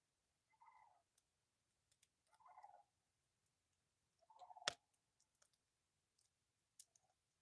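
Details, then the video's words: Sandhill cranes down on a river in Manitoba give three short, rolling, clucking calls about two seconds apart, heard at a distance, with sharp clicks and taps close by. "You hear the sandhill cranes?"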